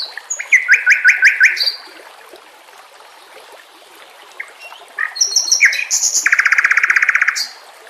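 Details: White-rumped shama song used as a training track for contest birds, set with nature sounds and trickling water: bursts of rapid repeated chips, a quiet gap, then high ringing notes and a long buzzy trill over a steady watery hiss.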